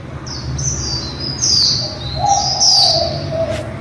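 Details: Female white-eye singing líu, used to get white-eyes singing: strings of piercing high notes that dip and glide, followed by a lower wavering whistle, over a low rumble.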